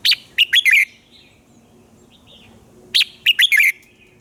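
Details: A red-whiskered bulbul sings at dawn in a fast, fiery style meant for training other birds: two loud four-note phrases roughly three seconds apart, sharp and slurred, with a faint warble in the pause.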